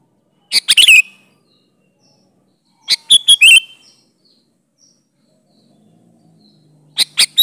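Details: Sooty-headed bulbul giving lively song with natural fill-ins, used as bait to make bulbuls call back. Three bubbly phrases of rapid whistled notes, spaced two to four seconds apart, the last starting as soft low hum rises.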